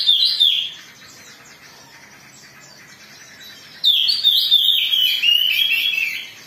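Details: Agitated kacer, the Oriental magpie-robin, singing to provoke a response: a brief whistled flourish, then a pause of about three seconds, then a longer, loud, rapid warbling phrase of high slurred notes.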